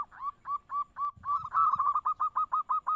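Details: Close, steady zebra dove (perkutut) cooing: quick rising-falling notes repeated about three times a second, briefly thickening into a rolled trill midway. A faint low rumble sits beneath.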